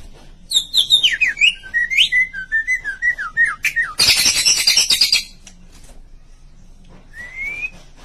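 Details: White-rumped shama in its chirping style: a rapid run of varied whistled, slurred notes falling from high to mid pitch, then a burst of harsh, buzzy chatter, and after a pause one clear rising whistle.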